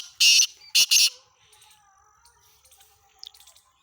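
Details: Black francolin (kala teetar) recorded on 17 February 2023: a short loud run of harsh, rasping broadband notes, one brief and two longer, followed by faint twittering of small birds in the background.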